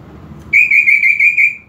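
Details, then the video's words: Greater green leafbird song meant to spark aggression: one sustained, bright, even-pitched whistle with a slight tremolo, held for over a second. "PANCINGAN EMOSI UNTUK CUCAK IJO KURANG EMOSI"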